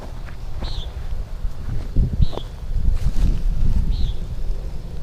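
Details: At Minneopa State Park in Mankato, Minnesota, on 18 July 2025, a common nighthawk gives three short, nasal, buzzy peents about 1.5 seconds apart, high-pitched and slightly falling, over heavy rumbling wind noise.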